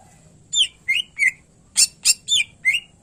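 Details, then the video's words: Greater green leafbird, called cucak ijo, singing gacor with isian for tutoring other birds: a brisk alternation of falling whistled slurs and loud, rasping broadband snaps, about seven notes in three seconds. "Cucak Ijo Gacor Isian Pilihan Terbaik Cocok Buat Masterin Burung Lain Yang Malas Bunyi"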